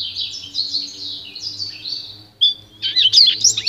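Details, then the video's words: Pintagol singing for song training: a softer, flowing warble of linked high notes for over two seconds, a brief pause, then sharp sweeping chirps and twitters; faint low hum beneath. "canto puro do pintagol"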